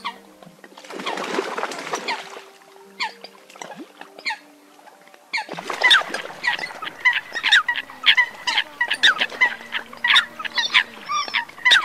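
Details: Eurasian coots, a recording used as a night-netting lure for migrating birds in the 2022 season, give sharp, explosive clipped notes in dense, irregular bursts, as if several birds call together, over a faint steady electronic hum.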